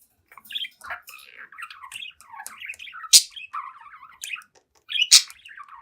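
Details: Seven-month-old pet budgie singing in front of a mirror indoors; a continuous, rambling warble of twittering and gurgling notes, broken by two loud, harsh, sharp clicks about two seconds apart.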